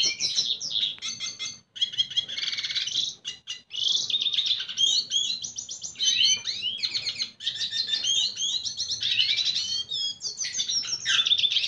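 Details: Red siskin singing while courting a female: a fast, continuous twittering of buzzy trills, rapid chattering notes and sharp upward and downward sweeps, broken by brief pauses near two and three and a half seconds.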